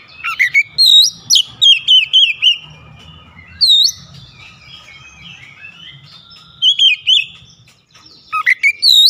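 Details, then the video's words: Kacer song: bursts of sharp, swooping whistled notes with rising and dipping slides, separated by quieter gaps with faint low background rumble, the bird repeatedly launching fresh rapid phrases. "KICAUAN KACER BUKA PARUH LEBAR TEMBAKAN PEDAS"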